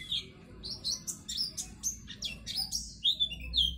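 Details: Lively white-eye (pleci) in 'gacor' song, kept as a training master so young birds open their beaks and sing: bright high chirps and short whistled notes, roughly two per second, uneven spacing, over a soft low rumble.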